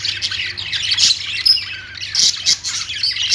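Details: Chattering budgies, Australian parrots, keep up a busy stream of high chirps and short scratchy squawks, with sharper loud notes near the first and third seconds over a soft low hum.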